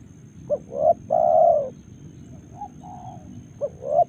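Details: Karawang, Indonesia spotted dove: one complete three-part coo ending in a long sustained note, then softer brief coos, then the opening of another phrase, over steady low hum.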